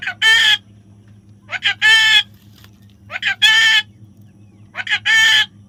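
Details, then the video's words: Baby parrot gives paired calls about every 1.6 seconds: a short stuttering lead-in, then a loud, rich, harmonic squawk lasting about a third of a second, over a steady low electrical hum. "natural funny parrot sound"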